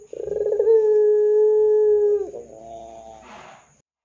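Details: Ringneck dove in 'gacor dor' style, a lure to prompt other doves to call: a rolling onset flowing into a single steady, deep coo lasting nearly two seconds, followed by a softer falling tail and faint rustling.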